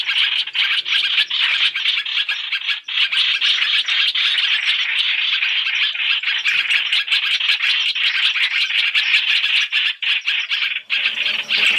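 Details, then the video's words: Three-in-one trapping lure of masked laughingthrush: a continuous, raspy stream of fast chattering notes, steady and loud throughout, fading briefly near the end. "Tiếng chim hoành hoạch (trao trảo) mồi 3 trong 1 chuẩn để bẫy"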